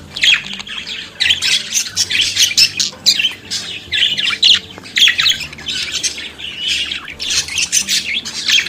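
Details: Budgerigar (Australian parakeet) singing and chattering: dense, continuous warbling and scratchy chirps with squawky notes, phrases running almost without pause.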